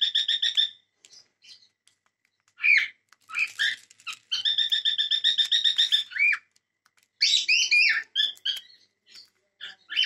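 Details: Cockatiels calling: bursts of harsh, rasping, harmonic chatter, one long buzzing run of rapid repeated notes, then rising and falling squawky whistles separated by short pauses.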